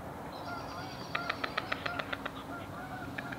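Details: White storks mating at NSG Disselmersch, Lippborg, on a late February evening (21 Feb 2021, 18:20): a quick run of about ten dry, wooden bill-clattering clicks, then a couple more, with faint thin whistles from another bird.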